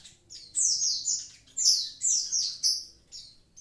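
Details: Vigorous Javan pied starling song, loud high chirps sliding downward, delivered in three separate bursts about one second apart.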